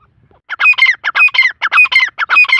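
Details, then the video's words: Black francolin (Irani teetar) calling: harsh, grating multi-part notes in tight bursts, repeated in quick groups of three or four, loud and clear against a silent background. "Irani teetar ki awaz"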